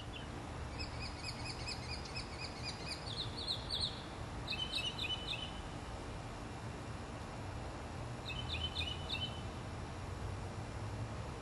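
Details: Northern mockingbird singing and preening in a Florida native-plant setting, 2005: several high phrase types, each repeated in quick strings, including rapid ticking runs and doubled chirps, separated by pauses, over a noticeable low background rumble.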